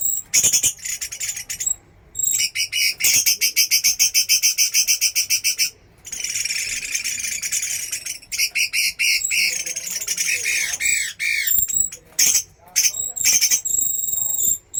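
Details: Chinese hwamei singing during a trial for fighting birds: dense runs of fast, repeated high notes in long bursts, broken by short pauses, with a steady high ticking pip heard in the gaps.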